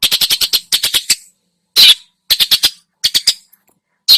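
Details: Long-tailed shrike singing a lure track rich in borrowed phrases: a fast rattle of rasping notes, then a pause, a drawn-out scratchy squawk, and further clipped triplets of grating notes separated by silences.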